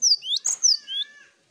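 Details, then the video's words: Cinereous tit from a group master recording made to stimulate singing. Short burst of thin, high whistles, falling and rising slurs with one harsher note in the middle, fading out within a second and a half. "Masteran Gelatik Batu Ombyokan Gacor Bikin Gampang Bunyi"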